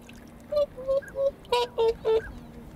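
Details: Whooper swans on a pond in late February, around 2 pm, call in turn with six loud, nasal, trumpeting honks: three slightly higher, then three lower. Tufted ducks and northern pintails are nearby.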